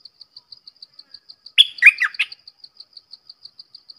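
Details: A short, loud Red-whiskered bulbul phrase of three or four gurgling whistled notes over a steady background of rapid, high, evenly spaced insect-like ticking.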